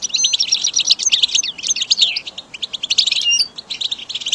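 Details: Goldfinch song from a recording used to train caged goldfinches: a dense, rapid twittering of short high chirps and buzzy trills, with bright whistled notes at times, continuous for four seconds with only brief pauses.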